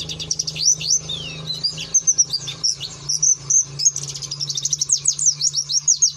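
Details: White-eye in insistent 'nembak' (shooting) song: high, tumbling chirps and short trills in quick succession, some notes sliding downward, with a constant low droning hum behind.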